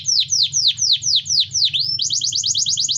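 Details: Singing canary used as a lure for lazy or silent birds and breeding-ready females: seven clear swooping whistles falling in pitch about every quarter second, then a fast buzzy high trill.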